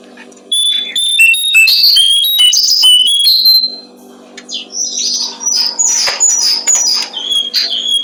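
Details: Brown-streaked flycatcher singing for songbird training: a rapid run of varied high whistles and chirps for about three seconds, then a quieter, scattered series of thin notes, with a constant low hum beneath.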